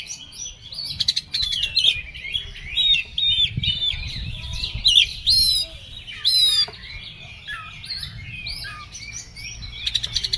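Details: Oriental magpie-robin in an agitated, overexcited singing mood, pouring out varied clear whistles and slurred notes broken by harsh buzzy rasps, in fast uneven bursts over a low background rumble.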